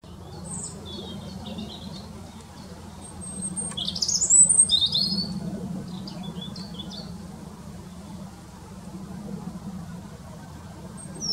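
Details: European robin perched in a tree in a local park, singing steadily for almost five minutes: thin, high warbled phrases of quick rising and falling notes, faint at first and louder midway, over a constant low rumble of distant traffic.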